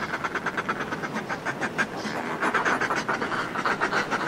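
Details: Groups of northern fulmars displaying on cliff ledges cackle in rapid, throaty overlapping chatter, rising and falling bursts; house martins also call, with a soft wash of sea beneath.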